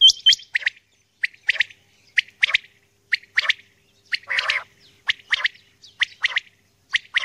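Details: Common quail, said to be a female, calling in the early morning: quick, clipped two- and three-note bursts, about four each second, with one rougher, longer note midway.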